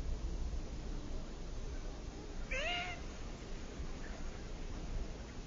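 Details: Ringed teal calling once: a brief, upslurred, nasal mew with stacked harmonics, heard against a constant low hum with no other animals clearly audible.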